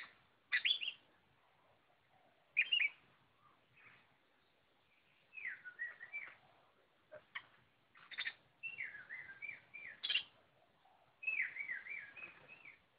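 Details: Kacer (Oriental magpie-robin) singing in gacor style: loud sharp chip notes spaced a couple of seconds apart, mixed with longer wavering whistled phrases that dip and rise, over a constant low background hiss.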